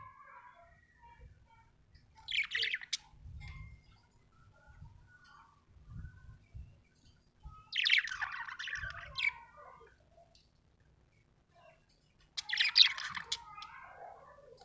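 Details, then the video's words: Happy pet budgerigar chirping: three bursts of bright, scratchy high chatter around 2.5, 8 and 13 seconds, separated by quiet gaps with soft low thumps. "happy budgie chirping sound"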